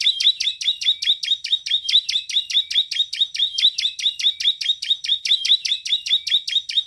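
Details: Bar-winged prinia singing vigorously: a fast, steady series of sharp, high chipping notes, about two or three a second, continuing without pause for the whole seven seconds.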